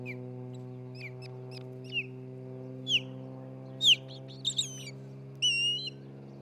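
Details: Osprey pair at their nest in Charlo, Montana, nest camera, 27 June 2018, early afternoon: a series of high, thin chirps that grow louder into ringing downslurred whistles, ending in a longer, sustained whistled note, with steady background hum.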